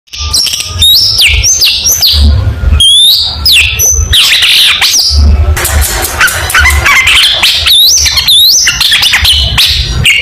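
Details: Long-tailed shrike singing a lively contest-style song full of varied shots. Fast, high whistled notes rise and fall, with sharp upward slurs and dense chattering runs, almost without pause. A low rumbling hum persists underneath.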